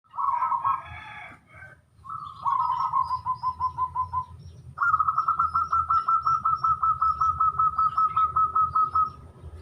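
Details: Local wild zebra dove singing its sungsung style: a short cooing phrase, then a long run of rapid, evenly spaced clipped coos, about two and a half per second, over a low steady hum.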